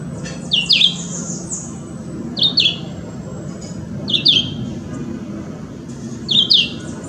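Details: Chivi vireo in Parque da Chacrinha, Rio de Janeiro, in September 2018, giving short, slurred high phrases of two or three quick notes, repeated about every two seconds, over a soft low background rumble.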